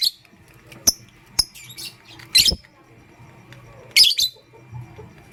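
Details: Caged pastel gray and green lovebirds in the morning give scattered shrill chirps and clicks, singly or in short pairs, separated by quiet gaps over a low steady hum.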